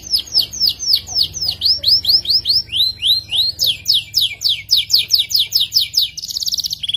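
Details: F2 YS canary delivering sharp, rich song: a series of loud downslurred whistled notes, about three per second, changing pitch midway, closing with a fast buzzy trill over a faint low hum.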